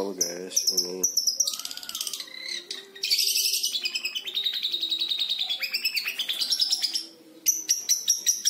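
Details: Five-month-old long-tailed shrike in fast, varied song learning to mimic lovebird and canary: buzzy chatters, shrill rising runs and high repeated chips.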